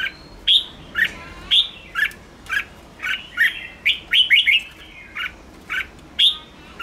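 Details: Red-whiskered bulbul 'ché' song for exciting wild-caught birds: loud, bright chirps repeated roughly every half second, a rapid cluster of three or four notes in the middle, all crisp and whistled.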